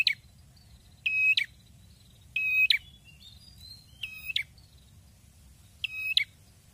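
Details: Actively singing red-headed prinia giving four loud buzzy, rasping bursts, each under half a second, spaced about one to one and a half seconds apart, with soft high whistled notes in the gaps and low rumbling noise.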